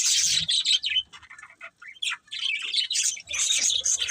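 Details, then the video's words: Budgerigars of a breeding pair chirping, bursts of rapid high, raspy chatter broken by a quieter stretch in the middle, then resuming strongly. "Cute Budgies Chirping Sounds"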